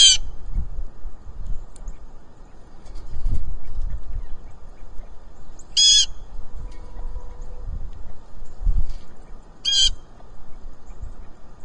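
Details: Blue jay giving hollers on a farm, loud harsh rasping calls spaced several seconds apart, three in all, with a faint low hum and quiet rumbling background between them.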